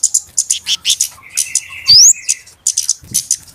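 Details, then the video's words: Noisy flowerpecker calling from a lure recording meant for trapping birds: rapid high-pitched ticks and chips in clusters, a steady thin buzzy note beneath, and a sharp upward-sweeping squeak midway. "SUARA PIKAT BURUNG KEMADE RIBUT/ BURUNG CABE-CABEAN"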